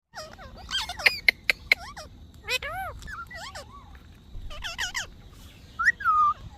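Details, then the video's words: Parrot talking: a run of high, voice-like warbled syllables with sharp clicks early on, then a quiet stretch and a final rising-then-falling whistled phrase. "Funny Parrot Talking Video"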